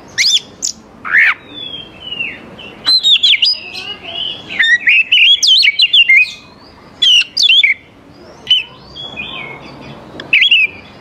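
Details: Oriental magpie-robin song, used to lure young wild birds into answering: loud, varied whistled phrases and sharp sweeping notes in bursts, with short pauses between phrases.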